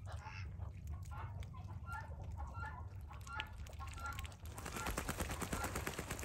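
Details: Chinese geese, around mating with Muscovy ducks, give short, nasal honks in quick, uneven bursts over a low rumble of wind, ending in a rush of splashing or flapping noise.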